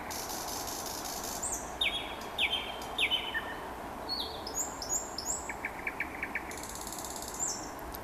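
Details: A common nightingale sings on a late-May evening in Vyazniki, Russia, among other birds: slurred high whistles, a quick run of dry clicking notes and thin piping, over a steady hiss, with a Pekingese dog audible in the background.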